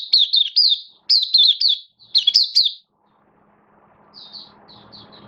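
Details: Caged oriental white-eye, open singing on 11 September 2022 while slightly off form: three quick clusters of bright, high, warbling twitters, then quiet except for distant soft chirps and low background noise.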